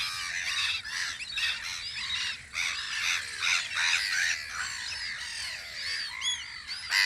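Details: A busy chorus of gulls at their guard post on Audru polder in spring, with rapid, overlapping squawks and arched wailing notes, nearly continuous, and a few clearer cries near the end.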